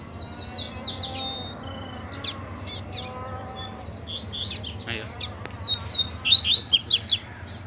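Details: Wild double-collared seedeaters in bush where a chick was calling; scattered high twitters and clicks building to a dense, loud burst of tinkling notes near the end.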